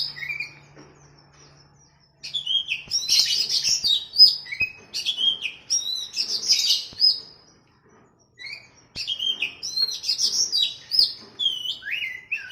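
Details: Oriental magpie-robin (kacer) training recording for caged birds, versus sooty-headed bulbul (kutilang): two long phrases of loud, varied whistles, slurred notes and fast chirps, split by a short pause, with a faint hum at the start.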